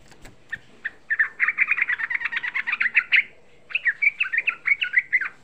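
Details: A young sooty-headed bulbul sings a rapid-fire lure that is said to make even lazy bulbuls join in. Two long, quick, chattering runs of repeated notes are separated by a short pause, after a few scattered opening notes.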